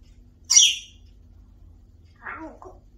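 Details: Pet African grey parrot, a talking bird, gives one sharp, high squawk, then after a pause a short, lower, warbling speech-like phrase in a quiet room.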